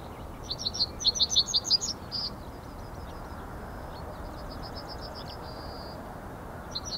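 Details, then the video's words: Male Yellowhammer at the Ahsewiesen nature reserve on 17 February 2019 at 10:55, recorded with a Panasonic Lumix GH5. It gives a rapid series of high, dry notes, then a fainter repeat ending in a drawn-out thin tone. Steady background hiss. "Yellowhammer Calls"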